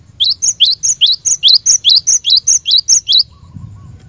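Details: Cinereous tit (glatik batu) song, a lure recording for getting caged birds to sing actively: about thirteen quick two-note phrases, a rising note sliding into a higher whistle, repeated rhythmically for three seconds over low hum.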